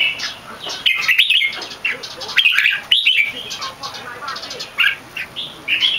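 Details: Red-whiskered bulbul competition bird, big-headed and not yet in full form, delivering a loud, clear, long Keke. Short slurred whistles and liquid warbles come in clusters, several sharp notes around the middle, with pauses between phrases.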